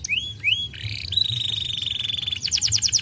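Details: Singing canary: two rising whistled notes, then a long steady high trill lasting over a second, ending in quick repeated downward sweeps, with a steady low background hum.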